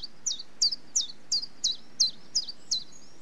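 A common chiffchaff sings its steady chiff-chaff song: about nine short, high, bright notes, almost three per second, over faint background hiss.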